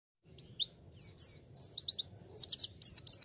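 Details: White-eye (pleci) singing as a beginner training recording: high, thin downslurred whistles, then quick runs of sharp chirping notes in short bursts, with a faint low hum beneath.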